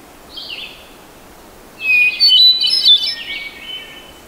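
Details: Hermit thrush, a North American thrush of evergreen forests, singing: a soft opening note, then after a pause a louder phrase of fluty, ringing tones with quick high flourishes, fading in a lower trailing note, over a faint background hiss.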